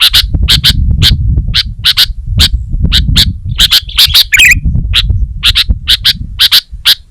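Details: Sooty-headed bulbul, locally kutilang, in lively song for songbird training in Indonesia: a steady run of sharp chips, often paired, with one short warbled flourish, over a constant low rumbling background.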